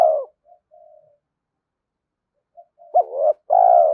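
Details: Spotted dove cooing, used to stir decoy birds into calling and to train them; a cut-off falling coo opens, soft faint notes follow, then a short hooked note and a long mellow falling coo.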